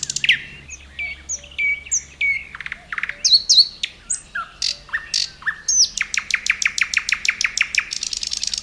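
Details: Common nightingale singing at Khoroshevo on 29 May 2011: varied phrases of pure whistles, rising and falling slurs, and sharp clicks, ending in a long, fast, loud series of repeated notes roughly eight per second.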